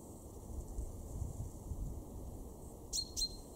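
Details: Male chaffinch, garden bird of Weener, East Frisia, Germany, recorded March 2023: after a low rumbling stretch, two sharp high metallic notes come close together at the end.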